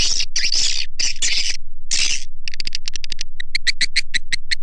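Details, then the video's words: Swiftlet lure call used by Indonesian swiftlet farmers: loud rasping buzzy bursts, then a regular train of sharp ringing clicks repeated several times a second. "SUARA PANGGIL WALET"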